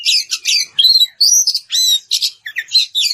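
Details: Oriental magpie-robin singing ngeplong to call a rival: a series of separate, punchy phrases, each a bright whistle or buzzy chirp burst, about three per second, with clean gaps between.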